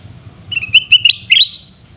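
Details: Sooty-headed bulbul in Aceh, Indonesia, uttering a short phrase of four or five clear, bubbly whistled notes that step slightly upward, over a soft low background rumble.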